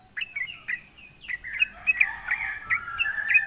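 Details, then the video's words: Sooty-headed bulbul, called trucukan, singing to provoke rivals: lively run of short whistled and slurred notes, rising and falling, speeding into a busy warbling phrase; a steady high insect-like hum runs behind. "SUARA trucukan gacor MENGEJEK LAWAN"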